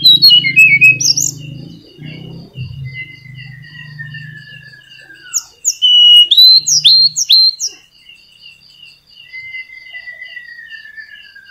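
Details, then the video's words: Flycatcher, male, in full song as a lure to make silent caged birds sing: fast high chips repeated several times a second, sharp rising and falling notes, and long thin falling whistles, with some low hum. "Tledekan Gunung Gacor Ampuh Buat Pancingan Tledekan Macet"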